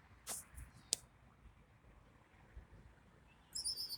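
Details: Wild birds in spring: a couple of sharp high chips, then a quick run of thin, very high twittering notes near the end, over faint outdoor background noise.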